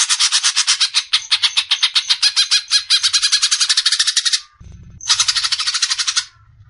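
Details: Greater green leafbird singing besetan, a masteran recording for tutoring songbirds: long fast train of buzzy, rasping notes, a short gap with a low thud, then a second shorter burst of the same chatter.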